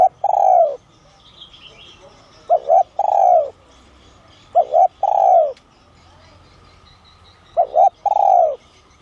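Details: A spotted dove in the son voice type calls to attract wild birds. Four mellow phrases, each two clipped coos followed by a longer descending coo, come at uneven intervals. Soft small-bird chirps sound in the background.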